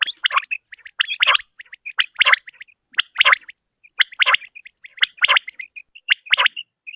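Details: A female common quail gives raspy, crackling bursts about once a second, with thin squeaky notes between them. No other sounds.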